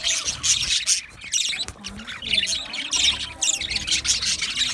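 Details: Budgerigars chirping in an aviary: a dense, continuous chatter of high, scratchy chirps and squawks in overlapping bursts, rising and falling in loudness about every half second with no pauses.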